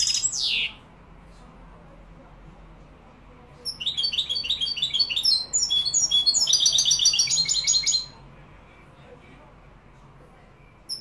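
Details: European goldfinch in Morocco singing in the Malaga song style: a brief downward sweep opens, then after a pause a fast, dense run of high twittering and tinkling notes lasting about four seconds.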